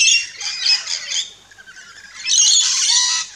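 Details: Rainbow lorikeets feeding in an Australian backyard, giving a loud run of harsh chattering squawks, then a short lull and another long, intense screeching burst.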